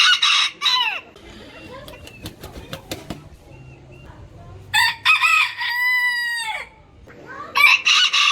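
A rooster gives a long harmonic crow, held steady then dropping at the end, framed by harsher crowing bursts at the start and finish; a few sharp clicks between.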